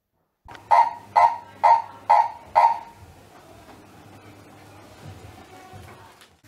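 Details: Purple-crested Turacos in a back garden in Nelspruit, northeastern South Africa, having an altercation: five loud, harsh, croaking notes about twice a second, then quiet, leaving faint background hum and distant birds.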